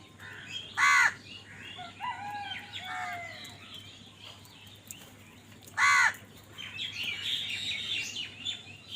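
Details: Crow calls during a fight for food: two loud, harsh caws about five seconds apart, with chattering high chirps of smaller birds between and after them.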